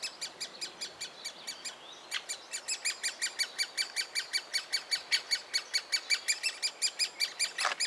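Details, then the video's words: Great spotted woodpecker chick being fed in a willow trunk, Biesummerbos near Delfzijl; quieter high chirps build into a loud, rapid, rhythmic chatter of harsh notes, with a short rasping burst at the close. "Specht voert jong- Woodpecker feed youngster"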